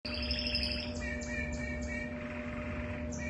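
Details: Canary with an unusual, different song: a high, clear whistled phrase for the first second, then a run of short repeated notes at a lower pitch, over a steady low electrical hum.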